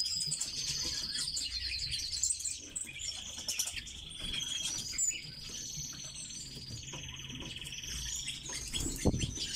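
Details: Red-billed leiothrix, an exotic cage bird, delivering a long varied warble of fast high trills, whistled phrases and sustained thin notes, with chirps overlapping throughout and low background rumble, ending in a louder burst.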